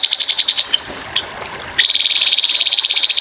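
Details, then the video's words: Grey-headed babbler delivering rapid rough 'tembakan' phrases: a quick high trill that breaks off into a couple of single notes, then after a brief gap a longer, dense, even trill. Running water murmurs faintly underneath. "TEMBAKAN KASAR BURUNG TEPUS KEPALA ABU"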